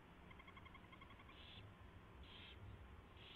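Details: Predawn mouse delivery and feeding at an owl nest, 24 February 2016, 4:21 AM: a rapid ticking chitter in clipped pulses opens, followed by three harsh, hissy screech bursts over low rumbling background noise.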